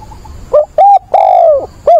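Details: A decoy spotted dove in a cage coos to find a mate, frustrated wild-caught voice. Up close: a short soft note, a hooting coo, a long coo gliding lower, then the next phrase starting.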